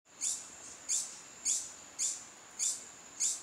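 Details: A long-billed hermit singing at Río Santiago, Atlántida, Honduras, repeats a high, squeaky note about every half second over a faint, steady high-pitched whine.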